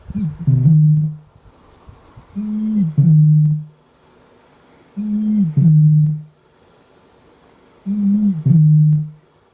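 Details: A Eurasian bittern, a secretive bird mostly active at dusk and dawn and heard after dark, booms four times: each a short gulping lead-in, then a deep, hollow foghorn-like boom, repeated roughly every two and a half seconds.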